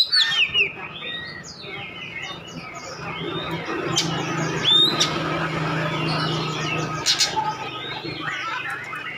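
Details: Oriental magpie-robin singing a lure song meant to provoke other birds into answering: rapid, varied chirps and sweeping whistled notes, a few sharp high rising slurs, over a steady low hum.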